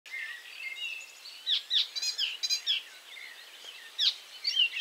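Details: Icterine warbler singing between moves and caterpillar catching: a varied, scratchy run of high chattering and whistled notes, with sharp nasal accents and short pauses between bursts.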